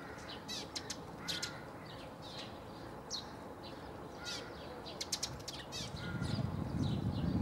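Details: Eurasian tree sparrow in Zagreb's Bundek area, Croatia, recorded 9 March 2015: uneven series of short, buzzy chirps, some in rapid pairs and triplets, with rumbling low noise building in the last seconds.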